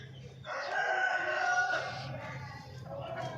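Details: Hen in the morning giving one loud, drawn-out harmonic call of about a second and a half, followed by softer broken clucking, over a steady low hum.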